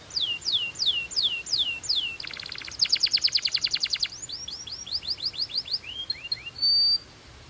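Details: Singing Belgian canary warming up: a series of falling whistles gives way to a fast, dense rattling trill, then more slurred notes and a sustained steady whistle near the end.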